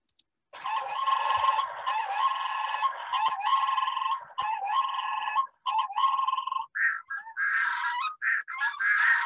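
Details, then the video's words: A Red-throated Loon pair on the Chukchi Sea coast gives the plesiosaur call, a male–female duet: harsh, rhythmic, gabbling, overlapping nasal calls lasting several seconds with brief breaks. The call keeps pair bonds when a mate returns to the breeding lake and is also territorial. "called the plesiosaur call and it's actually a duet so both the male and the female are making this vocalization"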